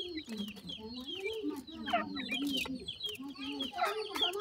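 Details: Wild francolin chicks being fed termites peep rapidly, giving high, down-slurred chirps in overlapping runs above a lower wavering tone.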